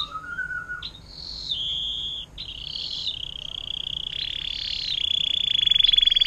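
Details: Canary in the long 'air mancuran' fountain-water song style, meant for teaching long trill phrases to other songbirds. A low slurred note opens, then long high rolled trills build steadily in loudness.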